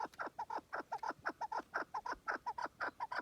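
A chukar partridge gives a fast, steady series of hoarse, clucking 'chuck' notes, about four per second, each harsh and mid-pitched. No other sounds are clear.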